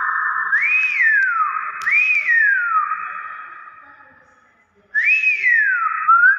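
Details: Nias hill myna: two rising-then-falling whistles close together fade into a lingering echo. After a short silence a third matching whistle follows.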